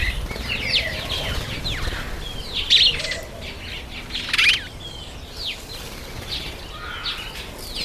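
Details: Breeding-season masked weaver, September–October; scattered sharp chirps and short rising twitters over steady bird chatter, with a few louder bursts and wing flutters.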